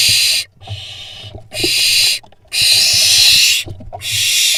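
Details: Young barn owls on an Israeli nest cam, 16.6.21, battling over a vole: loud, rasping hiss-screeches in rapid succession, each roughly a second long, broken by short gaps with knocks and scuffling.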